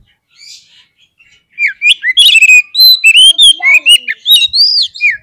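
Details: Lure song of an Oriental magpie-robin meant to provoke fighting: after a faint start, a rapid, continuous stream of loud whistles, trills and scratchy notes, swooping up and down in pitch.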